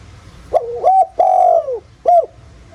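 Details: Spotted dove, 'giọng thổ' style, used to provoke rival doves into cooing: a dipping two-part opening note, a long level coo sliding down at its end, then a final short arched note.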